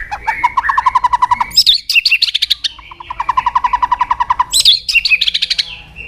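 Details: White-rumped shama song used as a lure to stir silent birds into singing: long runs of rapid, evenly repeated mid-pitched notes alternating with loud, sharp, high whistled flourishes.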